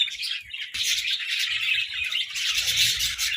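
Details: Budgies competing for treats, chirping in a bright, dense twittering chorus with a sharp squawk near the start and low bumping sounds toward the end.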